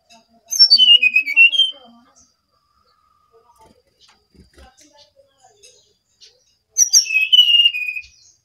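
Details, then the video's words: Two loud whistled phrases from a brown-chested jungle flycatcher from Bali, each sliding down then wavering, separated by a few seconds of near silence with faint ticks. "Sinkatan rimba dada coklat (SRDC) Bali Gacor"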